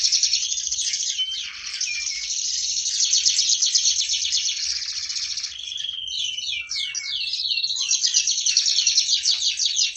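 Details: Canary, a lively bird noted for its competition record, delivers a sustained high trill, then a brief steady whistled note and a burst of quick descending sweeps before resuming rapid rolling trills.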